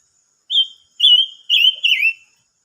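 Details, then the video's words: Silver-eared mesia song: four pure, fluty whistles in quick sequence, level in pitch, the last one bending down at the end, delivered cleanly against silence. "chim ngú sắc hót"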